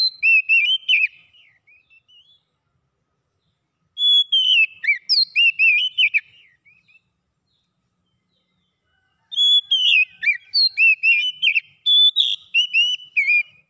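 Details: Oriental magpie-robin singing in three lively bursts a few seconds apart, each packed with clear whistles, quick slurred notes and chirps, meant to get a quiet bird singing again; silence between bursts, no other sounds.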